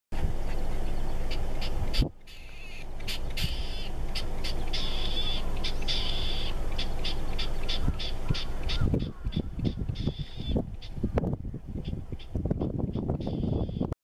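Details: Latham's snipe singing from the top of a utility pole; a quick series of harsh, rasping notes, partly buried under a heavy, rumbling wind.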